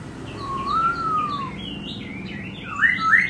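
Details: Dancing laughingthrush sings a long, pure whistle that rises and then gently falls, followed by softer wavering notes and two brief loud upswept whistles at the close.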